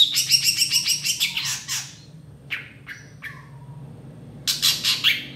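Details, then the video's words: Long-tailed shrike 'tembakan' song with 'isian' filling, recorded to tutor other birds: a fast harsh rattle of repeated notes, scattered single squawks, then another rasping rattle. "CENDET GACOR ISIAN TEMBAKAN MEWAH"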